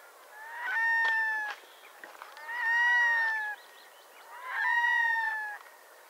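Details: Red-throated diver uttering three long, cat-like wailing calls, each held for about a second, rich in harmonics and gently falling at the end, separated by short pauses with faint background calling.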